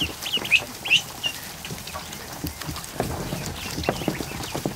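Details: Over one hundred freshly hatched ducklings splashing in a kiddie pool in a barn one afternoon; several loud, high, slightly rising peeps come early, then quieter chirps over steady water noise.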